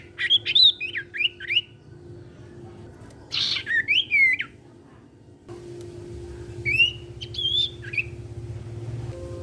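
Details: Energetic cipow-type golden-bellied gerygone singing in captivity to get raw birds to join in: three bursts of high, twisting whistles and squeaky chirps roughly every three seconds, with a constant low hum and background room noise.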